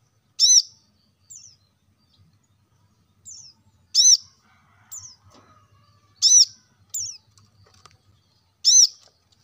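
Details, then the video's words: Plain-throated sunbird, used to stimulate caged birds to sing: loud, very high sharp chips at spaced intervals, each with a downward harmonic sweep, alternating with softer thin slurred notes. "kolibri kelapa | wiceh | manggar | cuitan korlap gacor untuk burung agar cepat rajin bunyi gacor"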